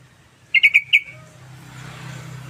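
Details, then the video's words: Sooty-headed bulbul in vigorous song, recorded as a lure and tutor track: four rapid, bright, bubbly notes in under half a second, followed by a low steady hum. "Trucukan Gacor"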